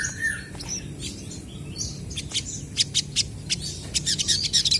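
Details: Crested jays trading calls in a lively exchange: one opening slurred whistle, then a quieter gap followed by spaced sharp clicks that build into loud rattling bursts and high squeaky notes toward the end.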